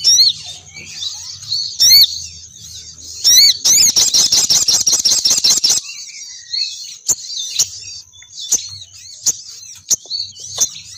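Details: Female crimson sunbird calling to lure males downward. Shrill squeaks open the clip, then a fast run of about twenty rapid buzzy ticks, followed by scattered sharp high chips.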